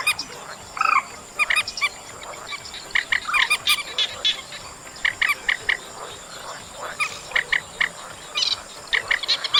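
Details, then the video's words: Chestnut munias in August giving clipped, bright call notes in irregular bursts, some stacked in quick pairs, with a brief louder curved note early on and a faint constant high whine behind. "Tiếng Trích Ré Track 3+B Tháng 8"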